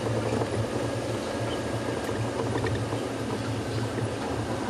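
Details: Steady low rumble and hiss like an idling vehicle or running water at sunset on a Sabi Sand safari, with no animal calls.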